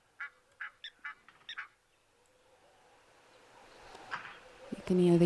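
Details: Egyptian geese, seen alongside lapwings at an African reserve on 5 January 2023 after early rains, give about six short, harsh honks in quick succession, followed by a rising rumble ending in a loud low hum.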